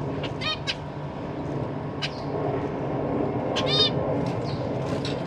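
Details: Caged zebra finches, parents with fledged young: scattered short nasal, harmonic-rich honking calls, one or two at a time with pauses between, over constant low mechanical hum.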